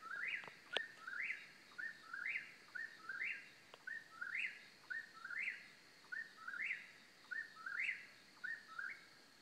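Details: Eastern whip-poor-will in central North Carolina giving repeated whistled phrases about once per second, each a short note then a rising-falling swoop; a couple of sharp clicks early on and a faint high hum in the background.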